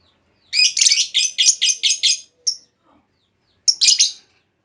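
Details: Lure call from a female lovebird, meant to make others reply with long trills; a rapid chain of about seven raspy, high chirps, one thin squeak, then after a pause a final harsh double chirp.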